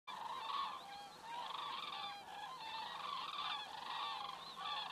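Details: Common cranes flying over in Estonia, captured by a crane webcam on 27 September 2017 at 19:26; several birds give overlapping, bugling, harmonic calls in loose bursts, with steady faint background hiss.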